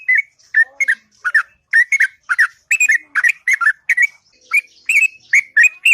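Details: Morning song of a sooty-headed bulbul, delivered long and sweet in ngropel fashion: a steady stream of short, liquid whistled notes, each rising or falling, repeated almost without break for six seconds.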